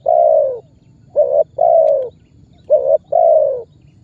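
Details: Spotted dove calling as a lure meant to prompt other birds to call, giving low, hollow coos in a short-long, short-long pattern, each note slightly falling in pitch.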